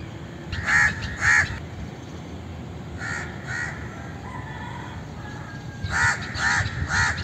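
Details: Repeated raucous caws from an Indian crow in short bursts, a pair first, then two softer ones, then three loud ones close together, with a low murmur of background noise between them.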